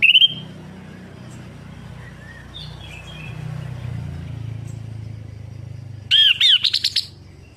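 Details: Stimulation song of an orange-headed thrush for a bird that stopped singing: after a short whistle and faint distant notes under steady rumbling noise, a loud burst of rapid, repeated sweeping chirps arrives near the end.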